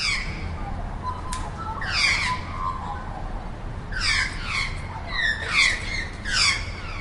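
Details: A wild magpie gives harsh, rasping chatter in short bursts of several notes, with pauses of about a second, over a low background rumble.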